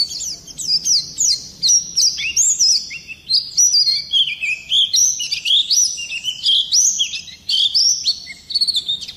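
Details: Oriental white-eye in ngerol nembak song used as a lure to set other birds singing: a lively chain of high, squeaky chirps and stepped sweeps, some phrases slightly lower, repeated in rapid bursts over a quiet background.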